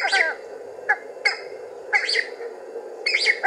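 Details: Cheer pheasant calling as it comes out of cover, giving short bursts of harsh, grating squawks about once a second over a steady low rushing hiss.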